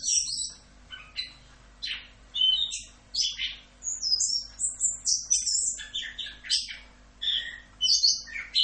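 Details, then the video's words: Masteran song of an Orange-headed thrush, full 'Rock'n Roll' style: a long, varied flow of sweeping whistles, high chatters and buzzy notes in rapid bursts, with a quiet steady hum in the background. "MASTERAN ANIS KEMBANG FULL Rock'n Roll"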